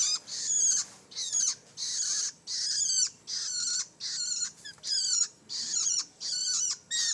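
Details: Harsh, raspy calls from a young long-tailed shrike, each burst lasting roughly half a second and repeated about once a second in a regular series, with quiet gaps between.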